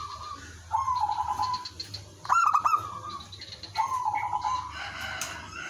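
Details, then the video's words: Local village zebra dove singing actively as a lure to draw and prompt answers from other doves: staccato rolling coos near one pitch, three phrases, the middle one starting with sharp clicks, over a low steady hum. "suara merbok kampung/perkutut lokal gacor manggung jadi pikat pancingan semua jadi nyaut"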